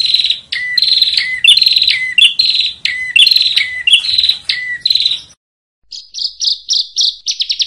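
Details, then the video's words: Bar-winged prinia master recording for competition bird training: repeated buzzy phrases each ending in a lower whistled note, then after a silence a quickening series of short high chirps. "SUARA BURUNG PRENJAK YANG SELALU BIKIN JUARA 1"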